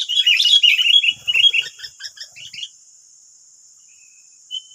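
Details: Sooty-headed bulbuls, wild birds in West Lampung, Indonesia, responding to a single decoy: a loud tumble of overlapping chirps that thins into separate short notes and stops, then one lone note near the end, under a steady high-pitched hiss.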